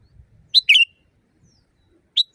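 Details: Loud, natural sooty-headed bulbul used as a training song for caged birds. Two quick phrases, each a clipped upward note followed by a burry, slurred note that trails off downward, with near silence between.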